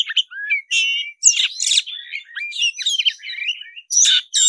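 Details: Oriental magpie-robin of the black-breasted form singing hard in fighting mode: harsh buzzy notes mixed with quick whistled slurs and scratchy squawks, tumbling out in short, crowded bursts.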